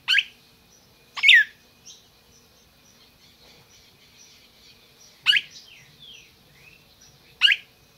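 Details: Red-crested cardinal kept in captivity in Brazil gives four sharp, explosive chips at irregular intervals. Faint high slurred whistles and twitters from other birds fill the quiet gaps.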